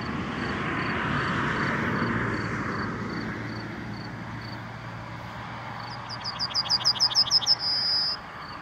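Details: Yellowhammer delivering its song late in the recording: about nine rapid repeated notes ending in a prolonged high whistle, after several seconds of engine rumble and a steady pulsing high tone in the background.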